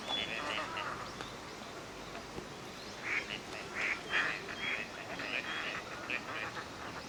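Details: Gadwall ducks on a park pond at Junsaiike, Chiba, Japan, in November during winter courtship display and pair formation: a string of short, nasal, squeaky calls roughly every half second against steady background noise.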